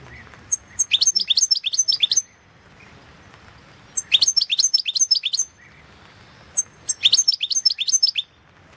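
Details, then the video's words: European goldfinch song recorded for the 2016 World Championship in Goldfinch Song, an internet competition: two bursts of rapid, high tinkling twitters, each about 1.5 seconds long, separated by a pause. "Pesma štiglića Potić Slobodan 011/2016 World championship in Goldfinch Song 2016"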